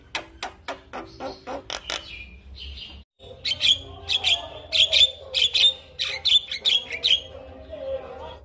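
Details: Male Javan myna song as a model for other mynas: opening clicks and chatter, a short pause, then clear whistled notes repeated roughly twice a second with buzzy trills.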